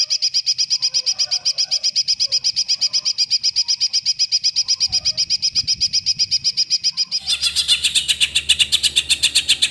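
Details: Greater green leafbird song in the long 'tembakan' style: a sustained, rapid run of identical high, sharp notes, about four per second, growing louder and fuller toward the end.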